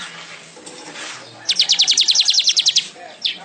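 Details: Weaver (manyar) singing, recorded as tutor material for songbirds: after faint background noise, a rapid, even trill of about fifteen high chirps lasting just over a second, then one further short note.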